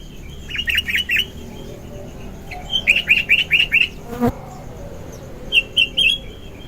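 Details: Sooty-headed bulbul in vigorous morning song, meant as a lure and tutor recording: short bursts of three to five sharp chirped notes separated by pauses, with one sharp click in the middle.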